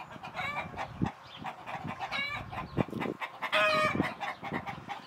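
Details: Domestic chickens (Gallus gallus domesticus) at Šinkov štradon, Ljubljansko barje, on 31 March 2023 give a run of clucks and a few higher, drawn-out squawking notes, with low thumps and background rustle.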